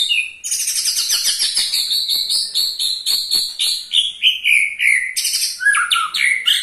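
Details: White-rumped shama (murai batu), kept as a songbird in Indonesia, giving a ketrekan meant to make other shamas sing: a fast run of high, ringing, repeated notes, several per second, with a falling whistled phrase at the end.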